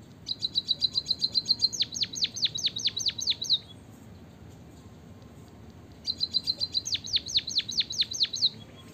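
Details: Munia, played to draw reluctant munias into song: two similar bursts, each a quick high ticking trill followed by about eight loud descending whistled notes, with roughly two seconds of quiet between.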